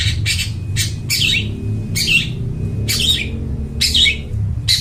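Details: Long-tailed shrike in full, clear song meant to lure wild birds in the forest: harsh, scratchy broadband notes repeated roughly every half second to second over a constant low droning hum.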